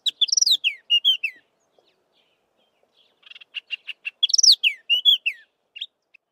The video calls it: Chestnut-vented Warbler singing its melodious song